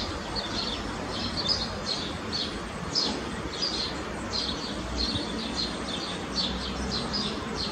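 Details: Eurasian blue tits, a pair feeding young chicks at a nest box with a trip each minute; frequent high, thin chirps and short slurred notes in loose clusters over continuous low background noise.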